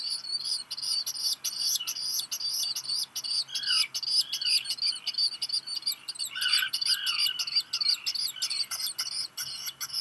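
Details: Black guillemot chick, one of a pair hatched 29 June 2021, begging intensely as a parent delivers rock gunnel, Seal Island National Wildlife Refuge, Maine, midday 13 July 2021; loud, nearly continuous rapid shrill peeping with lower rising notes.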